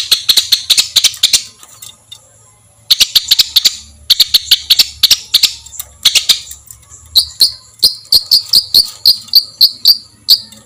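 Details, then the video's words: Songbird master recording for training competition birds, featuring rough 'tembakan' shot fillers: rapid bursts of sharp chattering clicks, then a run of short, bright, rising whistled notes at about two per second. "suara tembakan kasar untuk masteran"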